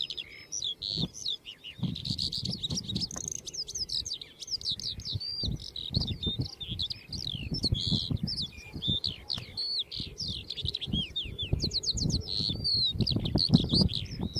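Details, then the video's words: Lark singing a long, unbroken stream of high, rapid, varied warbled and trilled notes with chirps and slurred whistles, over steady low thumping rumble like wind or handling noise. "O CANTO DA COTOVIA"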